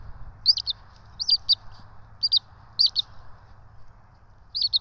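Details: Bald eagle nestling twins, filmed by a nest camera at the ETSU nest in Johnson City while being fed on 12 March 2024, give piercing paired chirps. The chirps come roughly every second, with a quiet hum between them.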